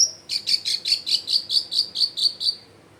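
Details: Long-tailed shrike in full song, recorded at home in a crowded neighbourhood as a lure to get silent shrikes singing: a fast series of about ten sharp, high chipping notes, evenly spaced, then quiet.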